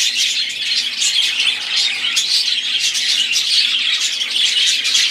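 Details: Budgerigars, several birds, singing together in a continuous dense chatter of warbling, scratchy chirps and short whistles, with steady overlapping voices throughout and no pauses.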